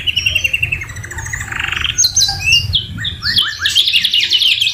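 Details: Canary song carrying magpie-robin fillings: a run of steady chirps, a brief pause, then scattered whistles and a loud high buzzy trill, over a low rumbling hum.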